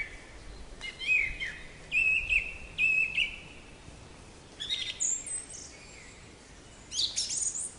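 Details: Black-capped chickadee, a small nonmigratory North American songbird of deciduous and mixed forests: a run of four buzzy, wavering notes repeated about once a second, followed by higher sharp chirps from other birds amid soft background noise.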